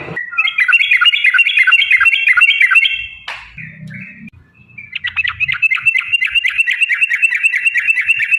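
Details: Sooty-headed bulbul in the ropel song style used for training songbirds: loud, fast chirped notes repeated about three times a second, a short break with low rumbling, then a steady run of sharp repeated notes.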